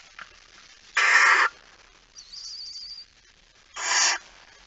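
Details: Barn owl at 23:55 on 17 September 2019, the male arriving with a mouse: two harsh, noisy hisses about three seconds apart, with a thin, high, wavering whistle between them.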